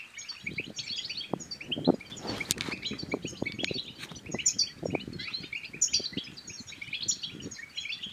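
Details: Song of a European goldfinch, meant to encourage other goldfinches to sing and mate: rapid high twittering and sparkling chirps throughout, over a busy layer of low tapping and rustling sounds.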